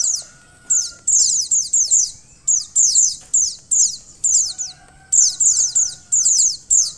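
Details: Female mountain white-eye calling to stir the male: a long series of bursts of very high, thin, falling chirps, three to five notes per burst, with brief gaps and a soft tonal whine behind.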